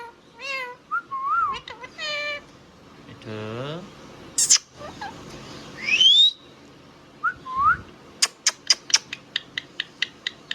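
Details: Pet Indian ringneck parrot vocalizing: wavering whistled notes and rising harmonic sweeps, a buzzy stuttered phrase, then a fast run of sharp clicks repeated about every third of a second.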